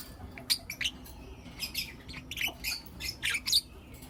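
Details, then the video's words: Blue Opaline and Lutino Opaline lovebirds in the morning, giving soft, rasping high chirps in quick irregular bursts, fairly quiet and evenly spread. "Lovebird Chirping Sounds and Call Sounds From Blue Opaline & Lutino Opaline"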